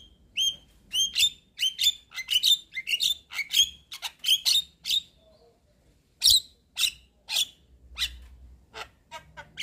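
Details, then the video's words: Javan myna, a white-eyed bird bobbing its head, in a lure recording used to stir a silent myna into singing; harsh buzzy bursts mixed with short rising whistles come in rapid runs, a brief pause, then spaced squawks. "Pancingan Jalak kebo Macet Bunyi / Jalak Kebo Stres Dengan Ocehan Jalak Kebo Mata Putih Manggut2"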